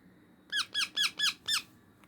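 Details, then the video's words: Young pet parrot indoors, five bright squeaky calls in a rapid even series, each with a falling arched shape, over faint steady room hum. "Cute sound of baby parrot"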